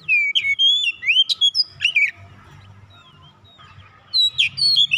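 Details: Oriental magpie-robin song played as a lure to prompt other birds to sing: a rapid run of varied whistles and sharp notes, a quieter stretch with faint whistles, then another loud burst, over low background hum.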